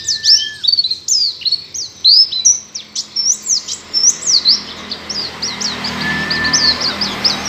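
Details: White-eye song, a lively stream of high, sweet, slurred whistles and twittering notes pouring out continuously, loud at first and fading toward the end, with a faint hum behind.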